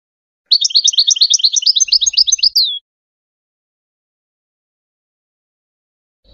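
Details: Goldfinch teaching song for hybrid chicks: a dense two-second run of fast, high twittering notes ending in a slurred drawn note, then silence.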